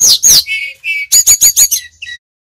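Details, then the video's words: Bali-origin brown-chested jungle flycatcher singing energetically in the nyuling style, used to train inexperienced birds. Two loud, harsh descending notes, then two steady mid-pitched whistles and five quick, sharp high notes, fading into soft chips. "Burung sikatan rimba dada coklat ori bali - Belajar nyiul / nyuling GACOR untuk TERAPI SRDC bahan"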